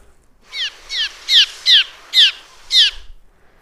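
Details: Cliff swallows at a summer nesting colony under a bridge give danger alarm calls as a person approaches: six sharp, high, downslurred notes, about two per second, clean against a quiet background.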